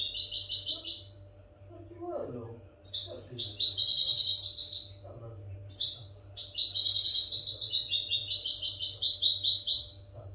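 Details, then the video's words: European goldfinch song used to tutor captive goldfinches: fast, bright twittering of buzzy and tinkling notes in long rambling phrases, pausing briefly near two and six seconds, with a faint low hum throughout. "audio pará educar a los jilgueros sin errores"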